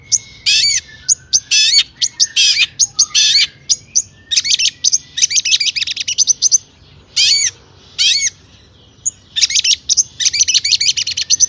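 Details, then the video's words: Long-tailed shrike singing full varied material meant to set off other shrikes: harsh raspy bursts alternating with looping whistled slurs and quick chattering runs, in irregular clusters with brief gaps. "PANCINGAN CENDET AGAR BUNYI"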